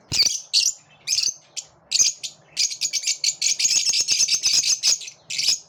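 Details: Several lovebirds singing together with enthusiasm: high, shrill chirps in short bursts, then a dense, rapid chattering stream of squeaky notes and clicks, continuing with little break.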